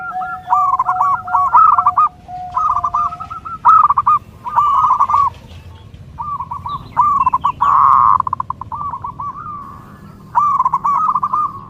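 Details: Zebra dove (perkutut) song used to train and lure birds: repeated phrases of quick rolling coos with pauses, a low steady note underneath early on, several birds calling.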